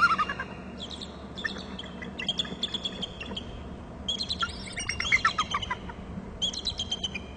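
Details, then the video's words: Bald eagle at its nest territory on Hornby Island, captured by a nest camera: three bursts of rapid, high, squeaky chittering notes in quick staccato series, with a steady low hum underneath. "eagle to ulb bst and calls from gregg's"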